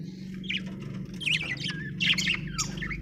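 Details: Budgerigar chirping: scratchy, rapid warbled notes with rising and falling whistles over a steady low hum.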